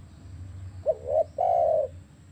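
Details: One spotted dove phrase, a wavering two-part coo and then a held mellow note, against a faint low hum; used to prompt captive doves to call.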